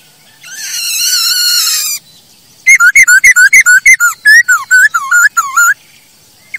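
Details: Masked laughingthrush song used for luring and tutoring other birds of its kind: a harsh buzzy rasp, a short pause, then a rapid run of loud clear whistled notes that dip and rise, repeated about twice per second.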